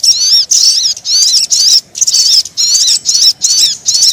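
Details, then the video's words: Lure recording of crimson sunbird calls to attract birds: bright shrill twittering repeated in about eight brief bursts, each of fast wavering squeaks. "Suara Pikat Sogon Yang Susah Turun"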